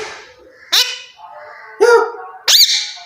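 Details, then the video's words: A pet rose-ringed (Indian ringneck) parakeet talking gives three short, raspy, voice-like utterances about a second apart, harsh and nasal like mimicked words, over faint room noise. "Ringneck parrot talking"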